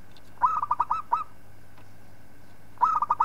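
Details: Local zebra dove song for tutoring other birds. Two cooing phrases of rapid, throbbing, pulsed notes, separated by about two seconds of near silence with a low constant hum.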